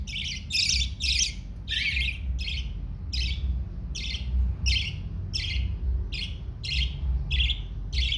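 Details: A baby parrot at feeding time gives harsh, raspy begging squawks, about one every two-thirds of a second, over a steady low rumble of handling noise.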